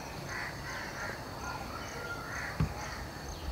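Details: An Indian grey hornbill family (adult male, female and juvenile) at a Gular cluster fig tree gives harsh, nasal squealing notes, several in quick succession, over a steady low rumble of background noise.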